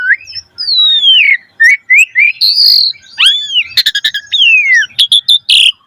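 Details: Javan pied starling in rich, vigorous song to stimulate young starlings: flowing falling whistles, rising slurs and a sustained high note, broken by a quick clicking rattle.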